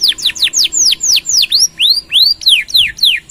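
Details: Canary song used for tutoring and prompting other birds. Loud, clear whistles sweep sharply downward, about four per second, some rising first and then falling, in an even, ringing series.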